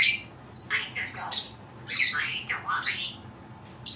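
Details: A pet Cape parrot making odd sounds: a string of harsh, scratchy squawks and chattering bursts, some dipping and rising, separated by short pauses over faint background hiss.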